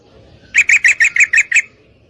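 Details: Female yellow-vented bulbul calling a male to mate, delivering one quick burst of seven bright, grating chatter notes in rapid succession against a quiet background.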